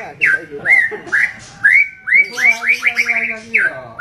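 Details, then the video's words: White-rumped shama delivering full 'tembakan' song, a string of bright rising slurred whistles repeated about twice a second, ending in a quick rippling run of notes. "MURAI BATU Full Tembakan Variasi Kasar Mewah"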